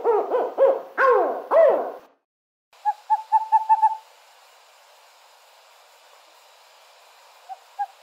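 An owl gives four loud, wavering, arched hoots, then a quicker run of short, softer notes, with two faint notes near the end.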